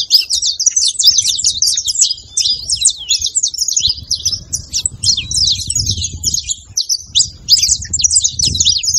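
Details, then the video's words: Saffron finch song meant to get a quiet canary singing: a long, busy run of piercing chirps and quick trills, barely pausing, over a steady low-pitched hum. "canto de canário da terra junto pra foguea e esquentar seu canário frio"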